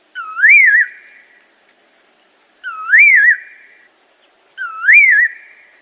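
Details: Assam laughingthrush (Trochalopteron chrysopterum), song.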